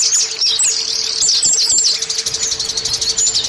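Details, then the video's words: Oriental white-eye lure song, used to prompt caged birds to sing quickly: dense, rapid, high-pitched twittering and chirps run without a break, with a faint steady hum underneath. "Terapi Pancingan Pleci Supaya Cepat Bunyi"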